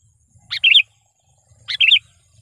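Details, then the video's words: Sooty-headed bulbul lure call for challenging wild birds: two matching bubbly, liquid phrases a little over a second apart, each opening with a short note, over a soft low hum. "suara burung KUTILANG GACOR garuda dengan suara panggilan kutilang pikat / pikat kutilang"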